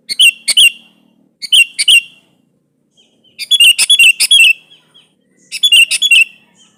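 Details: Lively sooty-headed bulbul calling out a rival to make it answer, used as a lure for quiet birds; four bursts of rapid, bubbly whistled notes, the middle bursts longer and denser, with short pauses between.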